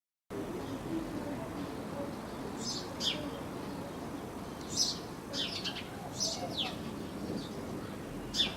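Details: A singing Eurasian tree sparrow (Passer montanus) gives short, high, dry chirps, singly or in quick pairs, every second or two, over a steady low rumble of wind or distant traffic.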